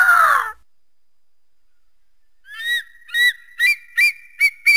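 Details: Eagle call: a harsh descending scream fades out, and after a pause comes a quickening series of sharp, high chirps that climb slightly in pitch, about six notes in two seconds.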